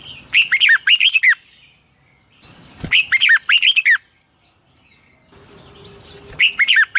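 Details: Morning song of a Red-whiskered bulbul for training other birds: the same bubbly phrase of rolling whistled notes repeated three times, a couple of seconds apart, with a thump and soft chirps between.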